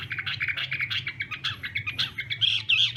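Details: Chinese hwamei in a morning singing contest, giving a fast, dense stream of chattering notes and short whistles, a few clearer whistled notes near the end, with a steady low background hum.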